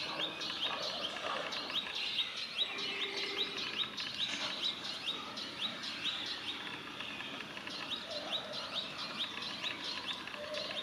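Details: A male Palestine sunbird in Israel gives a warning call of sharp, high chirps in quick, uneven runs, about two a second, over a busy outdoor background.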